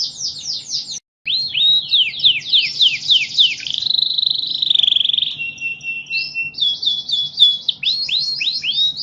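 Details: National champion canary song: quick falling chirps, a brief gap, a warbled sustained trill, a thin flat whistle, then more rapid downslurred notes.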